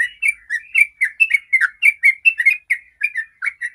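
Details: Fast 'ropel' song by a sooty-headed bulbul, a lure for making other bulbuls sing: crisp, tightly spaced whistled notes bouncing up and down in an unbroken rhythm of about four per second.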